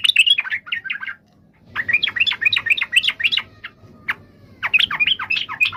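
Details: Yellow-vented bulbul song in separate bursts of fast, liquid chattering notes with short gaps between them, each burst a jumble of rising and falling chirps; a soft low hum in the background.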